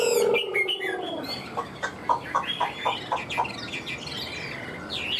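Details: A tame captive Chinese hwamei sings loud, varied whistled phrases, then a run of short, clear notes about every half second, with a low voice and faint background noise at the start.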